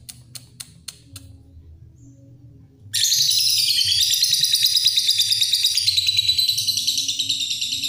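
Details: Lovebird giving a long chattering song, "ngekek panjang" style: after about three seconds of faint clicks, a dense, high, shrill trill bursts in and runs continuously, pulsing rapidly about three times a second.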